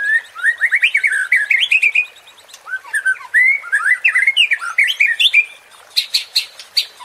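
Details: White-rumped shama (murai batu) song used as a provoking sound to stir fighting spirit: a fast run of loud, varied whistled notes rising and falling, then a pause and sharp buzzy bursts near the end.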